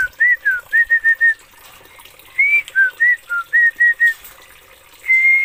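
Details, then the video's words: Oriental magpie-robin from Aceh giving a run of short, clear whistled notes at an even pitch, several quick repeated ones, a pause, then another series ending in a long steady whistle. "BURUNG KACER ASAL ACEH"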